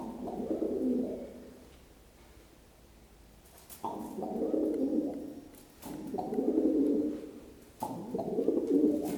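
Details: Pet pigeon indoors cooing as he hops down stairs, the coos said to speed up the faster he jumps; low, throaty, warbling coos in three bursts of about two seconds each, separated by short pauses, with faint tapping in between.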